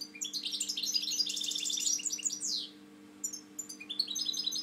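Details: European goldfinch kept in a cage, a proven breeder with one wing hanging slightly low, delivers a rapid run of high twittering notes that ends in a downward buzzy sweep, then a short pause and a new phrase, over a faint low hum.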